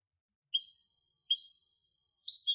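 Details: Hybrid European goldfinch singing: short bright twittering phrases, each a quick upward slur followed by trilled notes, repeated three times with brief pauses between.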